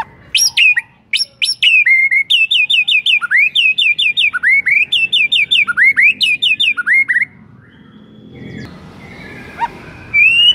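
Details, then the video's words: White-rumped shama pouring out a long, rapid stream of crisp repeated notes and swooping whistles for seven seconds, meant to trigger other shamas to sing, followed by a lull and a final rising whistle. "Belum 1 MENIT di PANCING Murai manapun AUTO GACOR NGEPLONG mendengarnya"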